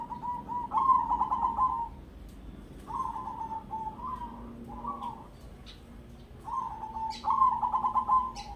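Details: Crossbred zebra dove singing in the ketekdobel rhythm style. Phrases are made of fast, stuttering, trilled coos that run into long purring notes, with short pauses between phrases. Faint low background hum is present.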